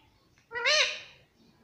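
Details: Talkative pet parrot said to speak words such as "mummy papa". Here it gives one clear voice-like syllable, about half a second long, with a wavering, slightly arched tone over a faint room hum.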